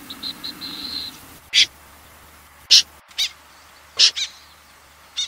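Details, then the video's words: Common snipe giving harsh, rasping single calls at irregular intervals of about a second after a brief run of thin, high, even chirps; bird recorded by a bird trapper. "Tiếng chim dẽ giun, nhát hoa"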